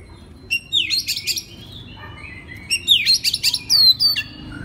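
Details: Oriental magpie-robin master song played to teach other magpie-robins: two energetic bursts of swooping whistles and rapid chirps, each about a second long, joined by softer notes, over a faint high steady tone.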